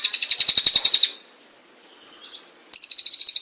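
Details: Cililin kingfisher, recorded for training other birds: a fast, high, pulsed rattle for about a second, a faint thin note during a short pause, then the rapid rattle resumes.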